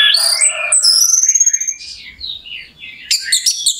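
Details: Orange-headed thrush in full song, used as a lure to rouse other thrushes into singing fast; high, varied warbled phrases with sliding whistles, then a pause and a burst of sharp, dense chattering notes.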